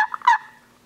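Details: Gould's wild turkey (Meleagris gallopavo mexicana) on Mt. Lemmon, southeastern Arizona, from a survey of restored birds: a quick, rattling burst of gobbling notes that fades within half a second, with nothing else heard.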